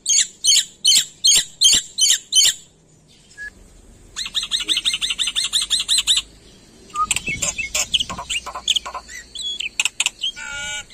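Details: Black-winged myna in full varied song: a string of loud harsh chattering bursts, a pause, then a fast rattling series of grating notes, ending in mixed squeaky, chattering phrases and a few clear tonal notes.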